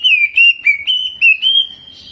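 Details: Greater green leafbird, caged, in energetic jamtrok singing with ciblek mimicry: a quick series of pure whistled notes, each gently curving, given almost without pause, then fading into quiet.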